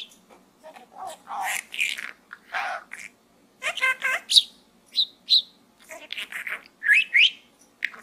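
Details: Pet budgerigar chattering and talking inside a small gourd, with bursts of buzzy, scratchy chatter and sharp rising whistled chirps spread through the clip, separated by short pauses.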